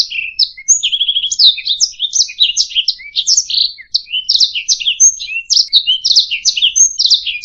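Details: Canary song for training other birds to sing: opens with quick rattling trill notes, then a dense chatter of varied slurred chirps and twittering phrases, a few pure high whistles interspersed, continuous and lively.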